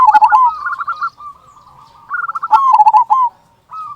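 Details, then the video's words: An active local zebra dove used to coax silent doves into song. Quick, bubbling coo phrases and rolling trills follow each other closely, with a short pause and a soft coo at the end. "Perkutut Lokal Gacor Suara Kung Besar Pancingan Burung Perkutut Agar Bunyi"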